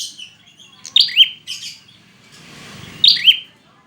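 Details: Prinia call for coaxing reluctant birds to sing, a few sharp descending double chirps separated by gaps, with a brief hiss of background noise midway.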